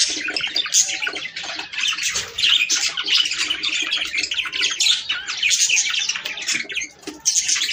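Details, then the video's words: Several budgerigars singing at once to prompt breeding, a nonstop bright chatter of squawks, clicks and warbled notes layered thickly from start to finish. "صوت طيور البادجي ــ تحفيز للتزاوج"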